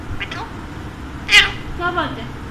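An Alexandrine parakeet talks in short, speech-like bursts of harsh, nasal syllables, with one sharp screechy note in the middle and a falling, wavering phrase near the end.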